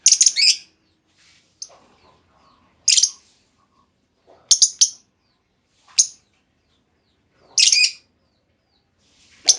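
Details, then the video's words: Female lovebird lure call, used to provoke other lovebirds into long trilling; piercing, scratchy chirps in short bursts roughly every one to two seconds, with brief quieter rustles between them. "Pancingan Burung Lovebird Betina! Bakal Langsung Respon Lovebird Segala Kondisi Auto Ngekek Panjang"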